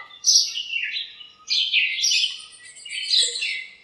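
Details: Morning chirping from birds gathered in a backyard lemon tree, calling to each other. Three long, loud bursts of high, buzzy, downslurred chirps, each about a second long, with short pauses between.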